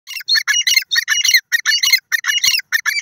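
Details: Grey francolins, described as the owner's Irani desi teetar birds, calling: harsh, ringing bursts of clustered notes repeated rapidly in quick succession, several overlapping phrases with short gaps between them, loud and close.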